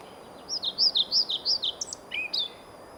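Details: Male European pied flycatcher singing to a listening female in Sweden: a quick high phrase of alternating two-note units, rising then dropping, about eight notes in a row, ending with a few lower, slurred notes.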